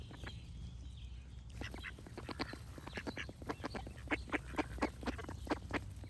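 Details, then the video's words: Ducks quacking with birds singing: a rapid run of short, harsh, nasal quacks, irregular at first and then roughly evenly spaced, over a steady low hum and faint high bird song. "Cute Duck Quack Sound Effects with Birds Singing"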